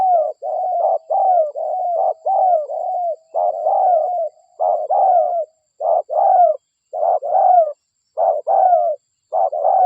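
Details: Dense, overlapping cooing used as a spotted dove lure, a local bird's voice: mellow short and long coos run together almost without pause, densely layered.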